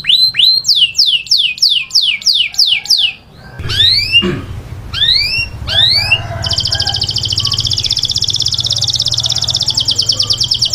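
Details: Grey canary in a cage indoors sings a series of rising whistled sweeps, several slurred upward notes, then a long high rapid buzzing trill; low hum beneath.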